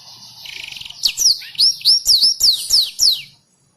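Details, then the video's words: Black-throated canary in full voice, for teaching song to caged canaries: a soft buzzy trill opens, followed by a series of about seven loud, high notes swooping downward, evenly spaced, ending abruptly. "Burung blacken Gacor untuk Masteran burung kenari,blacktrhoat & Mozabik."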